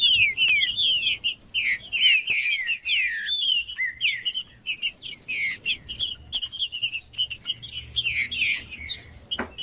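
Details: Green-winged saltator singing to warm up: loud downward-slurred whistles repeated in quick phrases, with dense high chattering notes, clicks and a steady thin high tone throughout.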